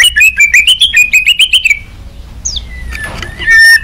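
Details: White-rumped shama singing emotionally to bait rival shamas into replying gives a fast stuttering run of sharp, buzzy whistles. A pause with a quick downward chip follows, then one loud held whistle.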